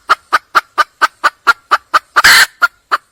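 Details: Wild junglefowl hen calling to attract a male utters a quick sequence of crisp, evenly spaced clucks, interrupted near the end by one loud, rough squawk before two final clucks.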